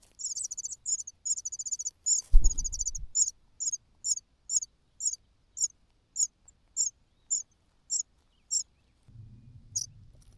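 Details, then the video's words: Cuckoo chick begging out of hunger while the natural chicks are full: high, clipped buzzy notes in quick clusters, then evenly spaced single calls, with a dull thump and low rustling. "The natural chicks are full, while the cuckoo cries loudly out of hunger.亲生的小鸟都吃饱了，杜鹃鸟饿得吱吱叫"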